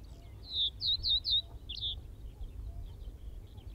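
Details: Common Reed Bunting at Wakka Primeval Flower Garden, Hokkaido: four short, clear high chirps in quick succession, then a separate slurred note, with faint low background rumble.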